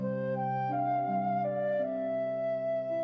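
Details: Soft, sustained flute-like music with slow stepwise note changes; no animal voice is heard.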